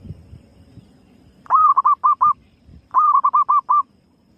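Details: Female zebra dove lure call repeated twice about a second and a half apart, each phrase a longer ringing coo and then four rapid short notes, over low rumbling background noise.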